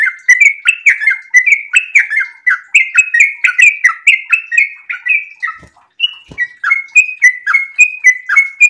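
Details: Sooty-headed bulbul in breeding condition giving an extended rapid song of clear, slurred whistles, some rising and some falling, closely packed; two soft thuds interrupt briefly before the run of notes resumes.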